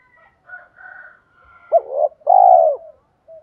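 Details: Spotted dove used as a decoy to lure wild doves; after soft, thin higher tones, a single loud coo phrase of a short note and a long falling note.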